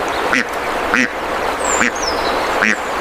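A duck gives four nasal, raspy quacks, one roughly every three-quarters of a second, with a faint high thin whistle drifting down in the background.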